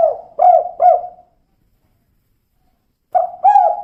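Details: Female spotted dove voicing kuk 2: three soft, falling coos in quick succession, then a silent gap of nearly two seconds before the next phrase starts.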